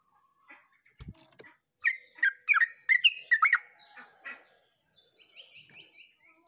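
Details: Yellow-vented bulbul in full, talkative song, 29/08/24, its phrase written "uglak uglik": a few soft lead-in notes, then about eight loud, rich, bouncing whistles in quick succession, trailing into high twittering from other birds.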